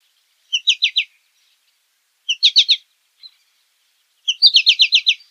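American goldfinch giving bright, high twittering bursts of three to six quick sweet notes, repeated roughly every two seconds; nothing else is heard.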